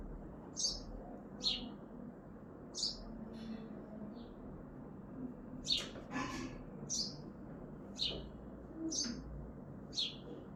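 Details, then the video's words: Morning chirping of a sparrow on a balcony in Hazaribagh, India: a string of short, sharp chirps about one a second, with a few faint clicks and a low steady hum behind. "Bird Chirping in balkoni#sparrow"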